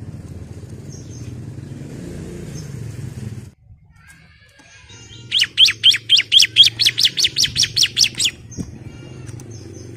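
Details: Female Bar-winged Prinia calling to a male, a lure to make birds sing. Steady low rumbling noise runs throughout, then about fourteen bright, shrill chirps arrive in an even, fast series before stopping.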